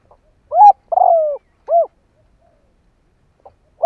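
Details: Decoy spotted dove calling to lure wild doves, giving one full phrase of a short coo, a long gently falling coo and a rounded final coo, then quiet before another phrase begins.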